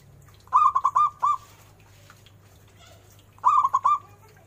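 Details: Two quick bursts of rolling, bubbling coos from a loud local zebra dove, each phrase of about five rapid notes, separated by roughly two seconds of quiet low hum.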